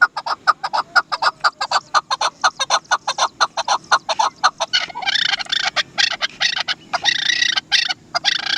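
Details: A run of evenly spaced clucking chak calls from a Chukar partridge (dasi chakor) speeds into a harsh, dense chatter halfway through, then breaks into irregular raspy bursts.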